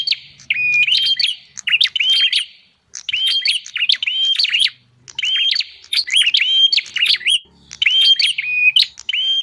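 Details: Bar-winged prinia calls played as a lure to draw wild prinias: bursts of sharp, high chirps and buzzy rising notes in rapid clusters, with short pauses between bursts and a faint low hum.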